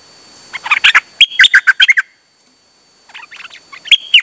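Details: Dok taeng bird recorded on 8 September 2023 while calling continuously: a dense run of sharp, staccato chips for about a second and a half, a brief pause, then softer chips building again.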